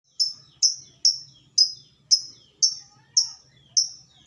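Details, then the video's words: Caged lovebird singing ngekek, used to provoke other lovebirds into calling: eight sharp high chirps, each dropping quickly in pitch, evenly spaced about every half second, with a faint low hum behind. "Pancingan burung lovebird biar ngotot tanpa jeda ngekek terosss!!"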